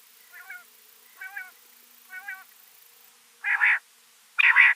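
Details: Rain quail calling: three soft, buzzy, slightly wavering notes about one second apart, then two much louder, broader notes of the same kind.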